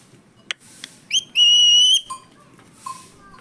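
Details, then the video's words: Green parrot in a maize field giving a loud, steady whistled note of about half a second with rich overtones, preceded by short sharp chirps and followed by softer low whistles over a faint background hiss. "Cute parrot talking"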